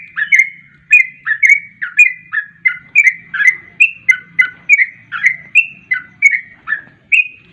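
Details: Sooty-headed bulbul, fast 'garuda ropel' lure song for drawing in bulbuls. A steady run of sharp chirps and short whistles, each dipping or rising, about two per second. There is a faint low hum.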